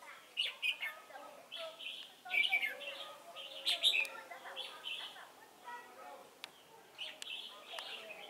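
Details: Chùa Hương trapping session, 28 November 2017: a decoy red-whiskered bulbul pours out jumbled, bubbling whistled phrases in irregular bursts, loudest near the start and middle, with thin background chirps.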